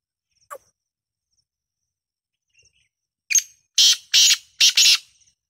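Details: Black francolin calling: a few faint scattered notes, then a loud harsh grating phrase of four rasping notes delivered rapidly, about a third of a second apart.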